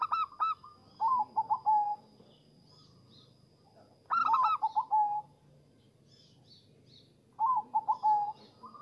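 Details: Zebra dove lure song for attracting and stimulating zebra doves: three bursts of soft, rapid, stuttering coos that fall in pitch and end in a trill. Quiet gaps separate the bursts, with faint low background noise.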